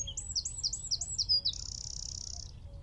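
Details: Eurasian wren singing from a tree at Wicken Fen, recorded about 15 m away with a phone, telescope and shotgun mic: fast high notes repeated in quick series, ending in a long dry trill.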